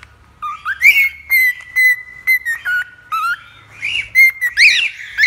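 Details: Cockatiel whistling, played to tame a cockatiel: a long, steady whistle held near one pitch for over a second, then shorter clear whistles with rising and falling slides, separated by brief pauses, over a quiet low hum.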